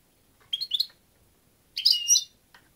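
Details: Two tinkling, liquid twitter phrases from a European goldfinch, the first clipped and stuttering, the second fuller and more rolling, then a faint chirp at the end.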